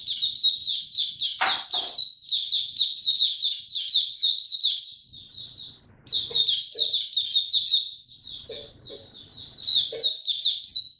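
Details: Maturing song of a young male white-eye kept as a songbird, dated 9 February 2022: long runs of rapid, high twittering notes broken by short pauses, with a sharp click near the start and soft low background noise.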